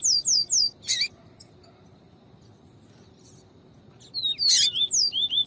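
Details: Double-collared seedeater in viviti song, played with female calls to excite a cold male. Fast high whistled notes slur downward at the start, a harsh chirp follows, then a pause before another rapid phrase of falling whistles.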